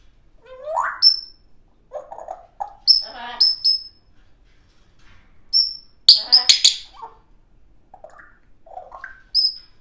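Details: African grey parrot, a young captive bird, making all sorts of funny noises: scattered whistles, rising squeaks, electronic-style chirps and short speech-like warbles, with a burst of harsh notes around the middle.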